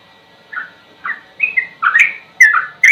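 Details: Sooty-headed bulbul starting its song with spaced, slurred whistles that quicken into louder, denser rolling phrases with sharp high ticks toward the end.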